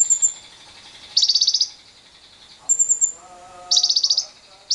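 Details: Lovebird lure song for prompting long trills in other lovebirds, recorded with wild birds: harsh pulsed chattering bursts roughly every two and a half seconds, mixed with high thin twitters and a lower layered whistling phrase.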